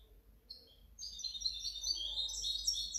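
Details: European goldfinch hybrid, the owner's 2019–2020 bird, opening with a few thin whistles before launching into a fast, tinkling, unbroken stream of high twittering notes over a faint steady hum.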